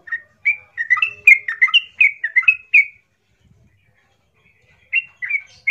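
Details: Yellow-vented bulbul singing loudly as a lure to provoke other bulbuls into answering: a bubbling run of short liquid whistled notes, rising and falling, for about three seconds, a pause, then a few more notes.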